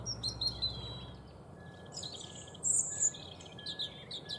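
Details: European robin giving thin, high, warbled phrases in short rapid bursts, some sharp and trilled, separated by brief pauses, over a faint steady hum and low background rumble.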